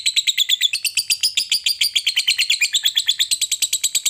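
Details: Fighter lovebird ngekek, a long chattering bout that provokes other lovebirds to join in: loud, harsh, rapid notes about two per second, slightly varied in pitch throughout.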